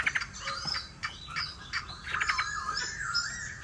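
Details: Hwamei song heard through background hiss: jumbled, warbling whistles and chatters with rising and falling slurs, mid to high in pitch, and no clear repeated pattern.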